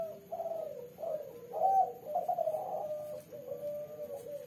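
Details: Female spotted dove of the red, black-collared colour form calling at night in the three-note coo style: soft, low, hollow cooing notes run together in rolling phrases, the loudest in the middle, over a steady faint background hiss.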